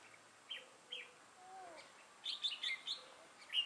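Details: A decoy red-whiskered bulbul set out for trapping, 6 November 2018. Two short separate chirps come first, then a rapid, jumbled, warbling phrase of bright notes near the end.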